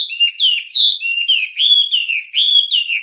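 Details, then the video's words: Wambie singing for songbird training: a steady flow of smooth whistled notes that dip and rise, repeated rhythmically with no pauses and no background noise. "Ocehan Suara Burung Wambie"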